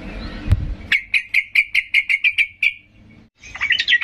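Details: Excited sooty-headed bulbul calling aggressively to draw a response from silent birds. After a thump, about a dozen crisp notes repeat rapidly and evenly, followed by a short pause and a jumbled, squawky flourish.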